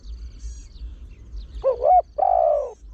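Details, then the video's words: Trained Spotted Dove with a deep voice, used as a lure that quickly draws in wild birds. It sings in the 'khan yon 1 kuk, khan thi' style: a short, wavering, hooting coo and then a longer, deep, falling coo. Faint high chirps sound in the background. "เสียงนกเขาใหญ่ 3 (เสียงใหญ่) ขันโยน 1 กุ๊ก ขันถี่ นกป่าเข้าร่วมเร็ว"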